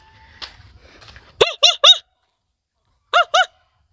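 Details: Domestic geese at a safari park in Bangladesh give five loud, nasal honks: three in quick succession, a short pause, then two more, after faint background murmur and rumble.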